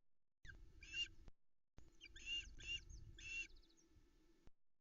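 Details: In the Arkaig Community Forest, Loch Arkaig, on 13 July 2020 at dawn, a female Osprey begs for fish after the male's trout delivery. Several loud, grating chirps sit among scuffling nest noise and a low hum.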